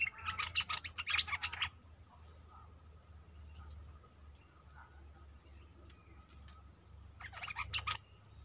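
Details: Sooty-headed bulbul song used as a decoy to draw wild birds, recorded 29 August 2021: two bursts of quick, chattering notes with clipped bubbly phrases, separated by a quiet stretch of low steady hum and faint distant chirps.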